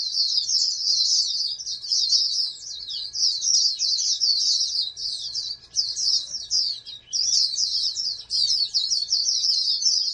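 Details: Oriental white-eye from a breeding stock raised as national contest-champion candidates, singing a continuous high, rapid twittering warble of squeaky slurred notes with brief dips in loudness; a faint steady hum sits underneath.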